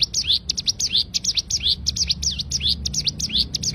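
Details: Loud, close cigun bird song in 'tembakan' style: continuous rapid sequence of bright, sharply falling chirps and twisted slurs, uninterrupted across nearly four seconds, intended as a tutor for training songbirds.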